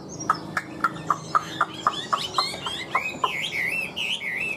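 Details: Caged Chinese hwamei in Vietnam: a steady series of short sharp notes, about four per second, gives way to fluid warbled whistling rising and falling at high pitch.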